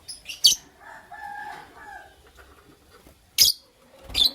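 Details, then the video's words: Lovebirds, a Creamino with a Lutino Opaline, chirping in the morning: sharp, shrill chirps set apart by a few seconds, with a softer, steadier tonal murmur between them and a quiet background. "Lovebird Chirping Sounds"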